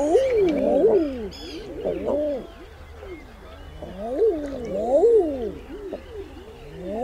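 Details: Several common eiders cooing together: overlapping low, crooning notes that swoop up and down, coming in bursts with a quieter pause in the middle, with a few faint higher sounds behind.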